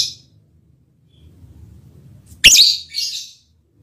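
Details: Lovebird giving its mating call to a male partner: a faint high note at first, then one loud, sharp, shrill chirp with a shorter trailing note just after it, in a quiet room.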